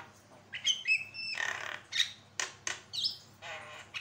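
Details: Javan myna singing hard, played to tutor other birds: high, squeaky whistles with a long grating rasp, then several loud, dry chack notes spaced irregularly.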